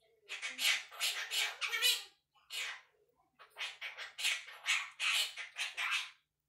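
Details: Young male Quaker parrot, one year old and kept as a pet, chattering nonstop: rapid scratchy, squawky syllables in quick strings, a brief gap, then another burst of garbled speech-like chatter.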